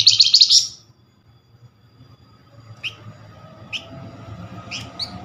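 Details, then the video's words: Lure call for Flamboyan, meant to draw a response within seconds: one loud rapid buzzy trill at the start, then quiet with a few faint distant chirps and low background rumble. "Flamboyan call nyerecet pancingan cepat paling direspon."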